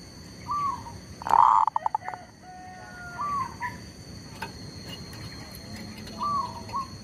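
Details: Decoy zebra dove for trapping wild birds, undeterred by a tree squirrel nearby: a loud rolling coo with quick stuttering pulses, plus soft arched whistled notes repeating around it over steady background hum.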